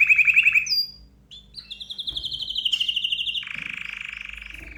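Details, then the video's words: Excited canary delivering a fast trill, a short whistle, then long sustained rolling trills at steady pitch, each dropping lower than the last. "اقوى تغريد كناري هائج"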